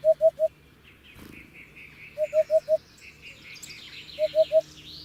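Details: Soft, hollow triple hoots from a Hoopoe, repeated about every two seconds at a low steady pitch, while other birds chirp and trill in the background.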